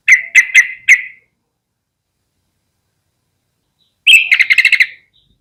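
Yellow-vented bulbul: a burst of four bubbly notes, a three-second pause, then a rapid chattering phrase of about eight notes, all fairly high-pitched.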